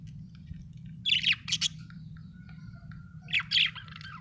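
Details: Cheerful budgerigar giving two quick bursts of rasping, high chirps, a pair of notes and then another pair a couple of seconds later, over a low background hum.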